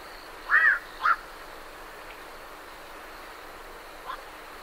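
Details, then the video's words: Night heron calls as birds leave the roost: two loud, harsh, croaking calls in quick succession near the start, then a faint third much later, over a quiet hiss of background with great reed warblers said to be behind. "Night Heron Calls"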